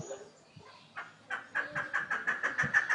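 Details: Captive chukar partridges kept as pet birds. A few scattered notes give way to a rapid, steady run of harsh, clucking 'chuk' notes, about six per second, growing louder toward the end.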